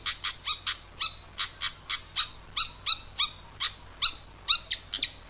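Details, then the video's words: Pied fantail in lively full song, used as a lure sound for catching birds: a steady series of high, sharp, slightly rising notes, about three each second, with little else heard. "Suara pikat burung sikatan kipas gacor"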